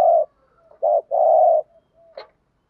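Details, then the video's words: Decoy spotted dove giving the 'gù thúc' urging coo, used to provoke and lure wild doves: a low, hollow coo, then a longer two-part coo, a faint trailing note and a short sharp click near the end. "chim cu gáy gù thúc/ tiếng chim cu gáy mồi gù thúc dùng kích bổi và tập bổi xiêng gáy"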